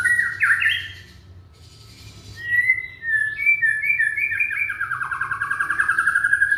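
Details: Young Indonesian white-rumped shama song, played to get other shamas to sing: slurred whistles, a pause, then a varied phrase ending in a fast rapid trill of repeated notes.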